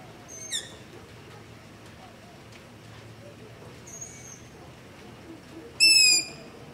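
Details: Long-eared owl begging at night near a house, recorded on a ZOOM H5 with a LOM Usi Pro microphone: a few faint high squeaky calls, then one louder drawn-out screech near the end.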